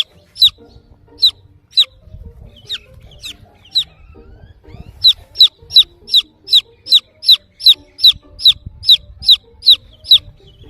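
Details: Chick looking for the mother hen, scattered high peeps at first, then a fast, regular series of loud descending chirps, over a low background rumble.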